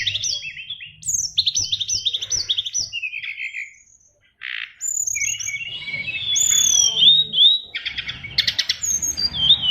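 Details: Fighter oriental magpie-robin with 'isian luber' song: quick chattering trills, a pause, then a long varied stream of thin whistles and sharp high notes ending in buzzy bursts.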